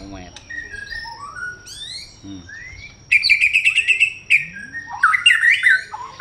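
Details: White-rumped shama singing a rich varied song: rising and falling whistles, then a fast run of repeated ringing notes, followed by loud warbled phrases; a faint steady high tone runs throughout.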